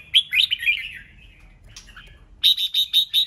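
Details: Red-whiskered bulbul in 'ché nẹt' song used to excite competition: a slurred, rolling warble followed by five rapid identical sharp 'ché' notes delivered in a quick even series.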